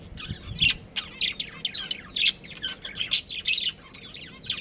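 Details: Pet budgies, a breeding pair, in lively high chirping: rapid squeaky and buzzy notes in quick clusters, with a few louder sharp chirps standing out.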